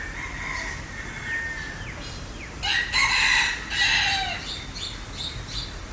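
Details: Green peafowl: soft sliding notes first, then a loud, harsh double call with bright ringing overtones, followed by short fading echoes and quieter notes.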